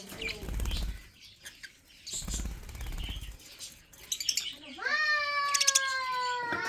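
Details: Colourful budgerigars in a breeding setup; rustling and flapping first, then a clear warbling whistle and a long bright whistled note sliding down and held, repeated chirps around it.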